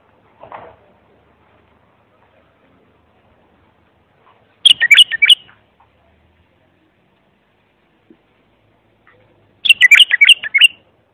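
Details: Clear bulbul song meant to tutor young birds: a faint low chirp, then two loud bursts of fast, jumbled whistled notes about five seconds apart, with silence between.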